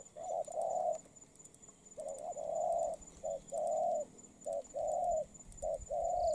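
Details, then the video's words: Spotted dove newly caught from the wild, Đồng Pha type, now molting. Soft hollow cooing runs as quick short-long phrases: a clipped note leading into a sustained, gently curved coo, repeated several times with brief pauses. "Bổi Đồng Pha tốt tiếng , liền lẹ , bài khá , gù tốt"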